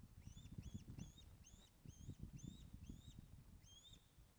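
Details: Osprey on its webcam nest at Loch of the Lowes, 24 August 2012, 14:10, fish delivery: quick run of thin, arched whistles about three per second, over heavy low thumping and rustling.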